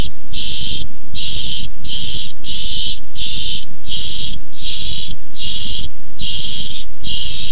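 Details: Repeated raspy screeches from barn owls in a food fight over a tiny mouse, 6-4-15. Ten or so breathy bursts come at a brisk, even pace, about one every 0.7 seconds, with a low rumble throughout.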